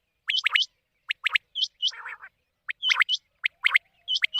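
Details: Quail call used as a night hunting lure in the monsoon season: rapid paired and tripled rising chirps repeat in bursts, broken once by a brief lower rasping sound.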